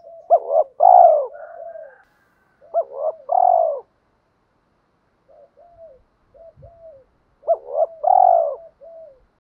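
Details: Decoy spotted dove cooing to provoke fighting, male and female; three loud phrases, each a quick looped note followed by a fuller drawn-out coo, separated by soft short low coos.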